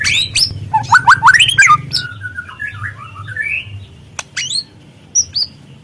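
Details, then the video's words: Speckled young white-rumped shama singing: a rapid run of rising stepped whistles, then harsh broken notes and a drawn-out, wavering whistled phrase, with sharp clicks over a low steady hum. "pancingan murai trotol agar terangsang untuk bunyi"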